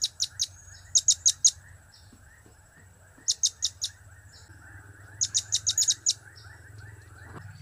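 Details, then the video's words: Blue-crowned hanging parrot giving the cap-cap, kiak-kiak and crap-crap call styles: shrill, very high chips in quick bursts of three to five notes, separated by short pauses, over a faint low hum. "Trio Cap²/Kiak²/Crap² Semakin Gacor"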